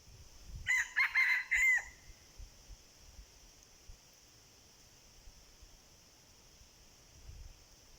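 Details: One short, staccato crow from a red junglefowl lured by a decoy, four quick harsh syllables run close together, followed by several seconds of faint low rumbling and near silence.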